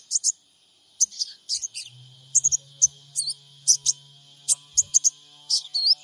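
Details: Sogon bird of the spotted (trotol) type, recorded with an Android phone in Purbalingga as a lure to draw replies: sharp, high, separate chirps and short twittery notes spaced irregularly over a faint low hum.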